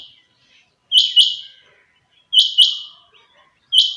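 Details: Kept chinga batair quail at dawn giving three shrill double-noted calls, spaced around 1.4 seconds apart, in otherwise quiet surroundings.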